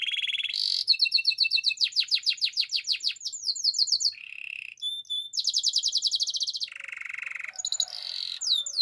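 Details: Belgian canary in morning song: rapid high rattles and fast repeated notes give way to a short low rolling trill, a bright ringing passage and another low trill, with tempo and pitch changing throughout.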